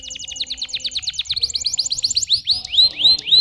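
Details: Canary pouring out a rapid trill of repeated descending notes, gradually slowing into distinct upward-curving whistled chirps.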